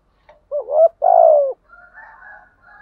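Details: Captive spotted dove used as a lure for wild doves: a rising wavering coo, then a long steady falling croo. Fainter, more distant cooing follows.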